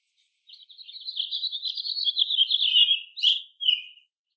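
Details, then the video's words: American robins of different ages foraging and singing in a chorus with other birds; a continuous warbled run of chirping notes for about three and a half seconds, ending in two sharper separate phrases. "American Robin - Bird Song and Call"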